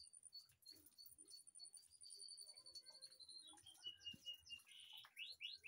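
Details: White-rumped shama in an aviary behind a house: a long drawn-out high whistle gently falling, ending in a few quick descending slurred notes, with some clicking and faint background hum.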